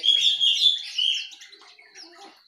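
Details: Jongkangan, Terucukan and Pleci songbirds in the morning: bright, high whistled chirps and warbling phrases, loudest in the first second and then fading into softer twitters.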